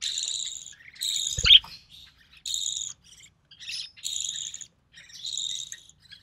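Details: Young recessive pied budgie, hatched early June 2020, calling while the mother feeds it: hoarse buzzing notes near one second long, repeated with short breaks, plus one brief knock or bump.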